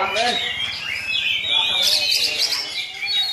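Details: Young Oriental magpie-robin singing loudly and mimicking a Javan myna: a dense run of harsh, squawky notes and rising whistles, mostly high-pitched and almost continuous.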